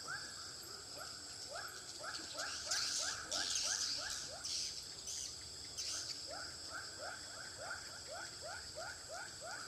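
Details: Swiftlets as played to draw birds into a bird house in Pekanbaru. Quick upward-sliding chirps come in regular series, about three per second, over a constant high twittering buzz that swells briefly midway.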